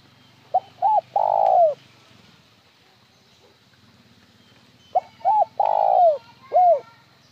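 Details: Spotted dove cooing over a low background hum. A first phrase is followed after a pause by a second one that closes with an extra arched end note in the one-ending style.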